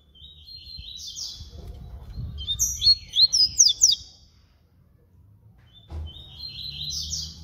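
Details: Yellow-bellied seedeater, called papa-capim baiano, performing flute-style song: a buzzy opening phrase, then a loud sequence of sharp whistled upward sweeps and trills, with a quieter buzzy phrase at the end.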